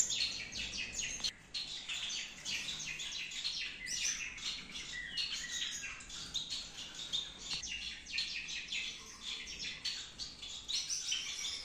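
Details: Many Gouldian finches in a Peshawar breeding aviary keep up a continuous, lively chorus of high, thin chirps and twitters, closely packed and overlapping throughout, with little pause.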